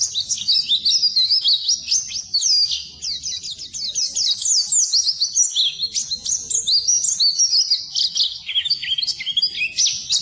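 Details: Long, unbroken Oriental white-eye song used to train birds that have gone quiet: dense, rapid twittering and high warbles that tumble up and down for ten seconds.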